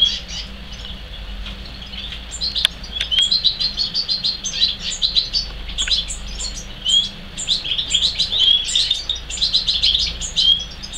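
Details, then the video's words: European serin: rapid, high, thin chirps and jingling notes, almost continuous after the first two seconds, over a faint low hum; likely young third-generation (R3) serins from a male R2 paired with a female. "R3 di verzellino"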